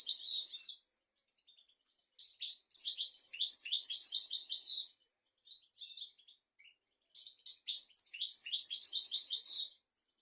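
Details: European goldfinch singing in a tutor recording for young goldfinches and canaries: long, rapid, high twittering phrases of tinkling and buzzy notes, split by short pauses with a few isolated chirps.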